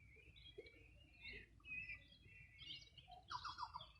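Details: Birds singing on the bank of the Bueno River, Los Ríos Region, on a summer morning in 2020: bright chirps and warbled phrases around mid-high pitch, ending in a louder rapid trill, over soft low background rumble.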